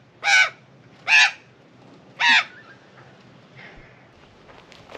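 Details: A female Australian magpie, flying up from her nest to a balcony rail, gives three loud, harsh, rasping alarm squawks about a second apart, angry at a cat, followed by a few fainter calls.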